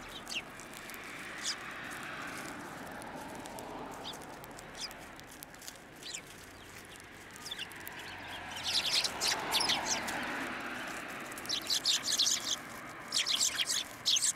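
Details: Sparrows gathering on a sidewalk curb at a Tenmangu shrine on 11 January 2024, coming to be fed: a quiet rumbling background at first, then from about eight seconds on, bursts of short, sharp overlapping chirps from several birds.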